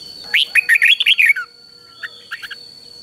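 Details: Red-whiskered bulbul in a cage giving a doubled three-syllable training song for young birds: one quick run of about seven bright chirped notes, followed by soft faint chips, over a steady high electronic whine.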